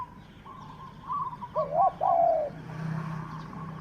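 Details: Sixth captive spotted dove kept for luring wild birds: a brief burst of low, wavering coos ending in one longer drawn note, over a steady low hum.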